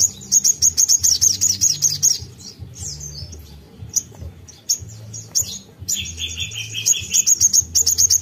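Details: Lively ruby-cheeked sunbird song used to stimulate untrained birds: fast run of piercing high chirps, then sparse sharp notes and a buzzy trill layered over a slightly lower strand, before more quick repeated chirps; faint low humming behind.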